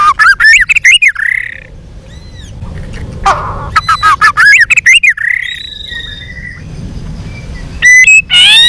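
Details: Fighting song of a white-rumped shama flicking its tail: strong rising whistled phrases in rapid stuttered groups, a quiet mid-section with faint notes, then loud high slurred whistles at the close.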